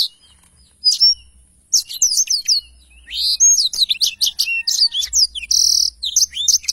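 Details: Black-throated canary singing its long rolling 'ngerol panjang' style, strongly active: a lone whistle, then a dense stream of sharp chips, sliding whistles and buzzy held notes.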